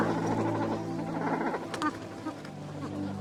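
Cormorants give a continuous chorus of deep, guttural croaks and grunts, overlapping in a busy, low rumble with a few brief higher notes.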